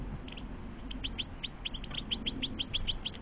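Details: Goldfinches with young at a garden feeding spot; quick series of sharp, high, rising chirps repeated about every quarter second, growing stronger toward the end.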